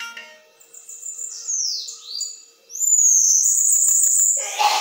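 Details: Bananaquit metralhadora song: high thin notes and several descending slurred sweeps, then a loud, very high, machine-gun-like buzzy trill with faint clicks, ending in a brief noisy rustle.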